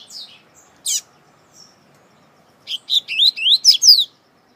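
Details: Celebrated Brazilian double-collared seedeater, or coleiro, with many CD recordings: a few scattered high chips and a pause, then a rapid cascade of about eight loud, slurred whistled notes sweeping upward in pitch.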